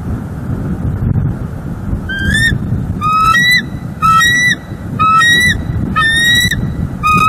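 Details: Wild bald eagle pair, male and female, at their nest in Northeast Florida on 18 December, recorded by a live nest camera. Six clear, ringing notes with a slight rise and fall, about one per second, over a steady low rumble.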